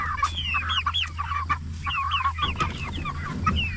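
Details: Forty-four-day-old jumbo Cornish Cross broiler chickens raised for meat give clear, sharp rising-and-falling peeps, several birds calling at once, over a constant low electrical hum.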